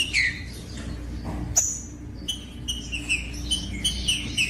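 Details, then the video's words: Rufous-bellied thrush song used to warm up captive thrushes: clear whistled phrases near the upper range, short downslurred notes repeated every few tenths of a second, with a steady low hum underneath. "DESTRAVA TRINCA FERRO !! COM TRINCA FERRO CANTANDO O MELHOR VÌDEO PARA ESQUENTAR TRINCA FERRO"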